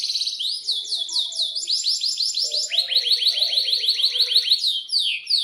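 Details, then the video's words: Canary singing vigorously in the long-rolling gacor style, aroused and in breeding condition. Fast, sharply rising and falling whistled notes repeat in rapid trills that shift pitch in steps, several notes a second, with a faint low murmur beneath. "Pancingan Kenari GACOR panjang"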